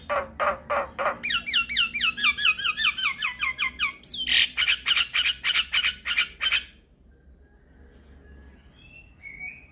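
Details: Javan myna lure song for starlings: loud raspy notes, a run of rapid looping whistles, then a quick series of harsh clipped calls ending in near silence with faint distant chirps.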